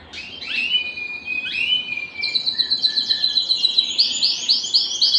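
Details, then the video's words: Belgian canary song played to excite birds for mating: scattered chirps and a held buzzy tone give way to a quickening high trill with ringing overtones. "صوت الكناري الاصلي ( صوت جبار يحفز الذكر ويهيج الأنثى للتزاوج )"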